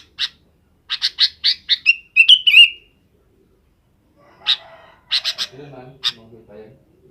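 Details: Sooty-headed bulbul calling companions to roost in the afternoon: a quick series of harsh chirps leading into a clear, warbling whistle, then after a pause a few more rasping notes and soft low sounds.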